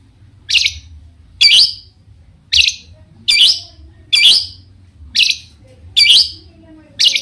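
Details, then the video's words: Long-tailed shrike giving sharp, rasping notes spaced about a second apart, a provoking series meant to set other shrikes singing in reply; quiet low background hum. "cendet gacor Variasi BIANGNYA bikin cendet lain emosi ikutan bunyi langsung NYAUT"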